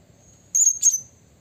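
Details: Blue-crowned hanging parrot calling to provoke rival birds: two very shrill, high, thin notes in quick succession, the second slightly longer, over a quiet low background hum.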